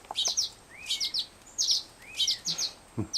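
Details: Fledgling Black-headed Grosbeak being cared for, begging with a soft whistle and fluttering wings. Two sweeping rising-falling whistles sit among loud, high paired chirps, with faint low clicks and handling noise.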